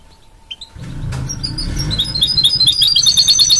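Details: Goldfinch-canary mule starting with sparse chirps over a low rumble, then building into a quick, bright twittering and trilling song.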